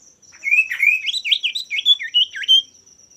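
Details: Male common iora singing actively, used to provoke rivals into singing: a rapid warbled phrase of rising and falling whistled slurs, about two and a half seconds long, over a steady high-pitched electronic-like tone.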